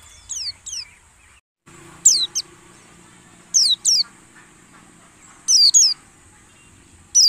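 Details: White-eye lure song for caged birds at dew-airing, aimed at a wild-style song: sparse pairs of high, steeply descending whistles spaced out over several seconds, over a low steady hum after a brief dropout.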